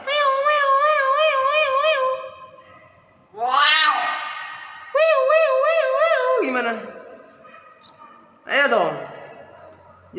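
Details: Hill myna imitating an ambulance siren: a steady wavering tone rising and falling for two seconds, then loud harsh rising sweeps and another wavering siren-like stretch, followed by a shorter raspy burst.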